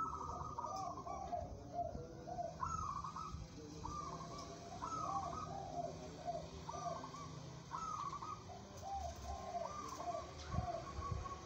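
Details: Local zebra dove kept for song competitions, singing repeated bouts of short pulsed cooing phrases. A higher rolling note leads into lower trilled coos, recurring about every two seconds over a steady low background hum.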